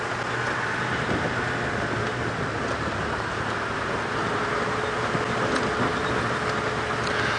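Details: Loud vehicle engine rumble and road noise on an evening safari drive, with a faint steady whine and no clear animal sound.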